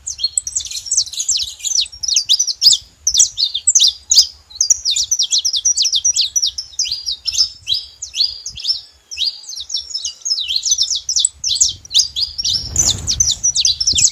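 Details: Long, continuous sequence of rapid, high, sharp chirps from a saffron finch, with brief dips between clusters and a low rumble building near the end.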